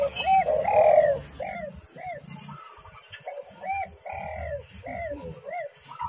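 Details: Spotted dove calling vigorously, recorded as a lure to make other doves call; a rapid series of short, arched, hollow coos overlapping one another, with a longer, louder cooing phrase near the start and a low rumbling background.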